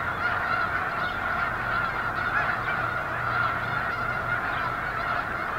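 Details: Snow geese massed at Eagle Scout Lake on 13 February 2024: a dense, unbroken chorus of countless overlapping honks forming a steady roar.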